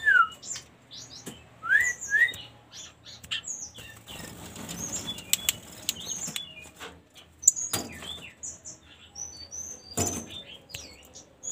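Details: A flycatcher at the taming stage gives scattered short chirps and thin high whistles, with a few quick rising notes at the start, amid soft clicks and fluttering.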